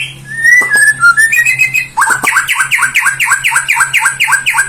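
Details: White-rumped shama song, played to prompt silent birds to answer: clear slurred whistles rising and falling for two seconds, then a fast run of sharp down-slurred notes about four per second, over a low steady hum.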